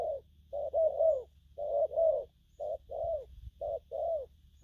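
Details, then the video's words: Spotted dove, young bird, cooing in gù phóng and gù lăn fashion: drawn-out low hoots and quick doubles with slightly uneven spacing, over a steady low hum. "Bổi nước gù phóng, kèm, gù lăn săn"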